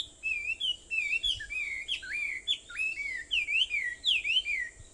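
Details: Birds singing at 4:30 a.m. on Aobayama in Sendai, Japan, on 21 July 2014: a continuous chain of clear, looping whistled notes, several each second, loud and close.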